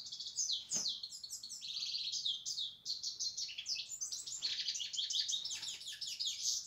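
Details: European goldfinch in a long, continuous outpouring of high, liquid twitters, chattering trills and nasal buzzes, with rapid shifts of pitch, over a soft background hum.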